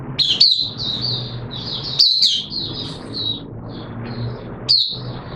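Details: Buka sing opening song from a caged oriental white-eye on a wet-weather day, 6 September 2022: high slurred warbling phrases with sudden sharp upward notes, over a low background hum.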